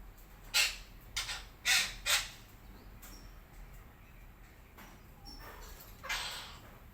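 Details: Red-breasted parakeet in the morning giving short, harsh, broadband screeching calls, four close together near the start and more spaced ones later, with faint thin whistles from other birds in the background.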